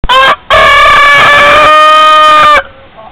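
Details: Rooster crowing in the morning: a short opening note, a brief gap, then one long, loud, harmonic cock-a-doodle-doo held steady for about two seconds before cutting off, with faint background noise after.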